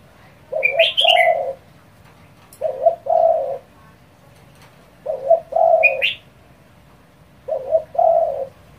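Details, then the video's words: Spotted dove calling rapidly to provoke rivals: four low two-part coos, a quick broken note then a longer steady hoot, roughly every two seconds, with occasional high chirps before two of them. "cu gáy thúc dồn kích bổi cực nhanh | tiếng chim cu gáy kích bổi | chim cu gáy gù"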